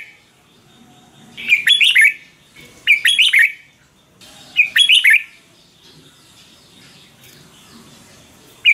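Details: Red-whiskered bulbul, caged, song used to stir up or train caged birds: three loud phrases of rapid bright whistled notes about one and a half seconds apart, then quiet with a faint note at the end.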